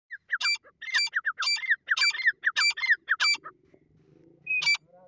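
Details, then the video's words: Francolin (teetar) calling: a run of six loud, harsh, ringing notes in quick bursts, each burst of several clipped syllables, then a pause and one final note, with a faint low murmur behind. "Teetar ki awaaz Teetar sounds Teetar voice"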